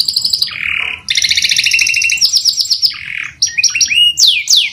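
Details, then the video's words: Canary singing continuously: high rattling trills of rapid repeated notes, a lower buzzy phrase, then sweeping upward and downward whistled slurs, dense and unbroken throughout. "CANARY SINGING | TERAPI PANCINGAN KENARI GACOR PANJANG"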